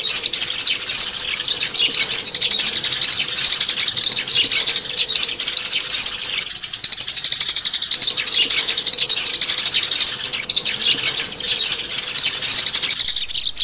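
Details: Sparrow lure calls for catching adult birds during the trapping season: a nonstop stream of sharp, high chirps, fast and overlapping as from many birds, briefly easing near the end, with a low constant hum behind.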